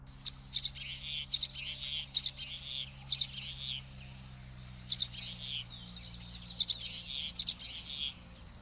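Common waxbill giving thin, buzzy, high-pitched phrases in two bursts, each a rapid run of nasal twitters repeated for a few seconds, with a low steady hum behind.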